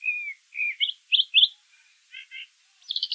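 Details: Brown thrasher singing in nature: a drawn-out whistle, then a series of loud rising chirps, a soft low note, a stacked buzzy pair, and a high trilled burst.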